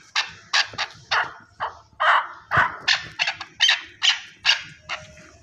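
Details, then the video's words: Chukar partridge from Pakistan giving a series of harsh, chuckling notes, about a dozen broad bursts spaced roughly half a second apart, rising and falling in loudness over five seconds. "Chakor | chakor ki awaz"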